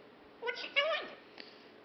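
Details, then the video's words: Indoor female pet macaw speaking a brief two-part phrase in a shrill, buzzy imitation of a human voice, the second syllable louder and sliding down, followed by a faint click; owner's voice around it. "Macaw Talking, Parrot Talking"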